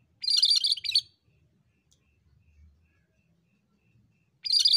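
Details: Cucak kerinci bulbul in persistent song: a loud, fast phrase of squeaky, jumbled notes, a quiet pause of over three seconds, then another burst begins at the end.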